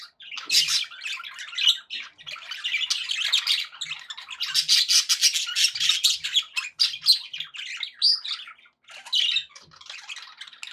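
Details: Pet budgerigars chattering happily: dense, continuous warbling with scratchy squawks and quick chirps, almost all high-pitched, rising and falling in bursts with brief pauses.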